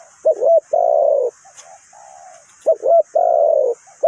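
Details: Decoy spotted dove for bird trapping, Ninh Thuận: two phrases, each a quick wavering double note followed by a long, steady, resonant coo, with a soft distant coo between them.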